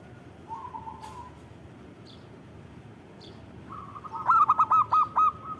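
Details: Zebra dove song from Indonesia: a soft, low rolling trill near the start, then a louder burst of five or six quick, ringing cooing notes near the end, with faint background rumble.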